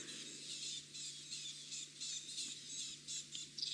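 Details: Several Rattling Cisticolas in the South African bush alarm-call at a walking male leopard on an afternoon drive, 30 July 2017. They give harsh, dry, churring rattles in quick overlapping bursts, several each second, over a faint low hum.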